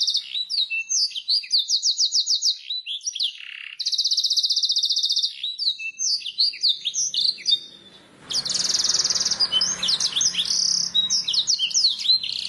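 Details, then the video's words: Master song of a canary for training birds: alternating long rapid trills and bursts of swooping whistles, with a brief quiet gap before a final noisier stretch of trilling and chirps. "Suara burung kenari masteran ,langsung nyaut"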